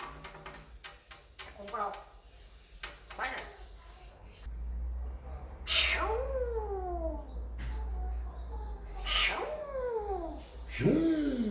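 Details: A five-year-old male African grey parrot gives three drawn-out, falling, meow-like calls after a stretch of clicks and soft chatter, while a human voice murmurs in the background.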